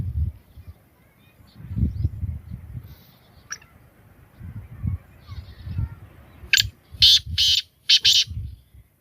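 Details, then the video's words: After several seconds of low murmuring noise and faint chirps, a black francolin breaks in with a loud, rasping call of four scratchy notes close together. "Beautiful voice of black francolin Kalay Teetar Ki Awaz Kalay Teetar Ki Boli Sindhi teetar ki awaz"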